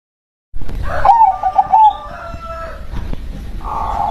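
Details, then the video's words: Local zebra dove song: a quick burbling coo of trilled notes lasting about a second, followed by softer sustained tones and a second mellow coo at the end. "SUARA PERKUTUT LOKAL BERKODAM"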